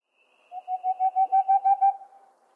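Boreal owl: a quick run of about nine soft, hollow hoots, roughly six per second, holding steady in pitch then rising slightly. No other sounds.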